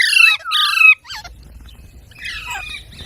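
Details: Parrot giving two loud, harsh, harmonic squawks, followed by a short falling note, a quiet pause and a softer rasping call at the end.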